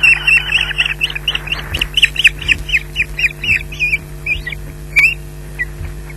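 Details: Osprey calling at a fish delivery to the nest at RSPB Loch Garten at 13:34; a fast series of sharp, piping whistled notes repeats steadily for several seconds over a constant low hum.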